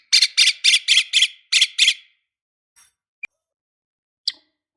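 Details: {'text': 'Lovebird used to provoke rival lovebirds into singing: a fast run of seven harsh, buzzy chattering notes over about two seconds, then a few faint scattered chirps and two short sharp calls.'}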